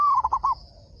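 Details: Local Indonesian zebra dove, kept for frequent loud singing, with a big voice meant to draw replies from other doves; a low cooing phrase with a long sliding opening note, then three quick rolling notes, over a steady high insect-like hum.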